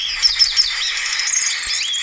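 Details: Andean siskin (Spinus spinescens) song: a rapid, continuous jumble of high twittering notes and thin rising and falling whistles.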